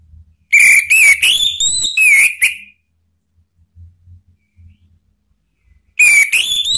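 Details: Male orange-headed thrush answering spontaneously with full, open song, used as a lure to provoke other birds to sing and as therapy for birds that stop singing; loud whistled phrases, rising and falling, in a burst, then a pause and a new phrase.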